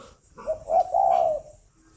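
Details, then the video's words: Spotted dove from a dove-breeding aviary in Ba Vì, Hanoi, Vietnam, giving a short low cooing phrase of smooth hollow notes, two brief coos then a longer drawn-out one, faint room hum behind. "tiếng chim cu đẻ"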